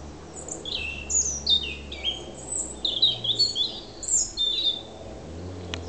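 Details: European robin in Alyth, Scotland, singing on 30 September 2007 to claim and guard an autumn territory: clear high warbles, thin slurred whistles and brief trills in a string of closely spaced phrases, ending with a soft click.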